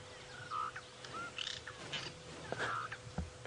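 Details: Cape glossy starlings, feeding in elephant dung on a morning safari drive at Djuma Game Reserve around 8 AM on July 26, 2016, give short slurred whistles and harsh chattering notes in scattered bursts, over a steady engine hum and clicks.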